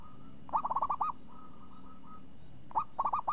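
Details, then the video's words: Champion zebra dove with a crisp, swinging voice: a fast phrase of rolling, staccato coos. Faint fainter cooing follows, then a second phrase of quick notes begins. "Perkutut Juara Suara renyah ngayun"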